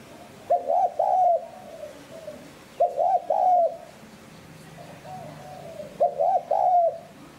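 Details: Spotted dove in 'hạp bổi' style for training decoy birds: three phrases of a quick double coo and a prolonged croo, with a faint softer coo heard between phrases.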